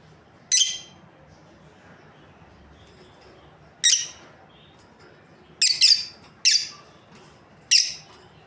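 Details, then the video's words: Sparse sharp high chirps from a breeding pair of lovebirds, single notes separated by one to three seconds, with a quick double note near the end; otherwise quiet. "Amazing Lovebirds Chirping Sounds | breeding pair"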